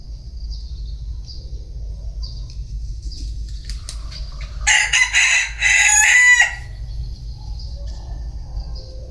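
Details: Bantam rooster crowing once, a loud, harsh, broad-toned crow lasting about two seconds and breaking into several rough segments, with a steady thin high-pitched buzz and low rumble in the background.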